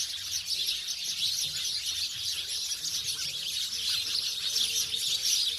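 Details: Village-dwelling house sparrows chatter in a thick chorus of piercing chirps that swells slightly toward the end.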